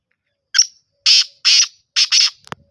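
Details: Black francolin from Sindh, Pakistan giving its harsh rhythmic call: a brief opening note, then four loud rasping syllables with the final pair run together, ending with a faint click.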